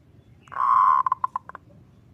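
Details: Zebra dove song, kerot ngutut kowar style, used for tutoring and luring: a long, even, purring note, then a quick run of short clipped notes, with faint low background noise.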